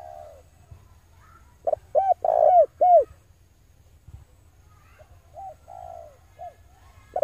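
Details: Male spotted dove, recorded to lure wild doves, gives one loud mellow phrase with short notes, a rolling drawn-out coo and arched coos. Softer, more distant cooing follows over a low background hum.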